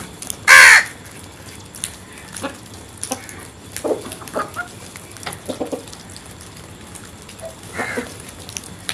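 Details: Crow giving one loud, harsh caw near the start, followed by faint scattered clicks and distant calls, and a second weaker caw near the end.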